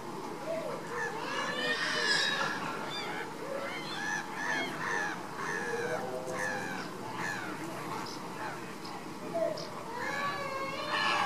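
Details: Caribbean flamingo flock at baseline activity, giving many overlapping goose-like honks. Nasal, harmonic notes rise and fall in irregular bursts throughout, with a constant background hum.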